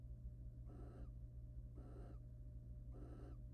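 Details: Wild barn owl pair in a nest box during courtship and mating; three long, noisy snore-like hisses spaced about a second apart, a steady low hum filling the background.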